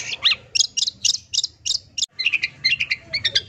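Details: Long-tailed shrike pouring out a song full of imitated fills, meant as therapy for silent birds: clipped high chirps and whistled trills, a short pause, then quick chattering notes.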